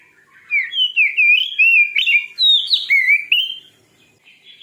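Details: Oriental magpie-robin pouring out a continuous loud song of varied whistled notes, rising and falling slurs repeated more than twice a second, ending in quieter twitters.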